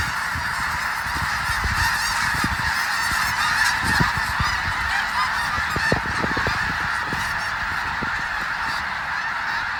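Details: A huge flock of thousands of wintering snow geese at Bosque del Apache, New Mexico, in early morning around sunrise, taking off and flying overhead: a dense, continuous roar of overlapping nasal honks with wingbeat rumbles underneath.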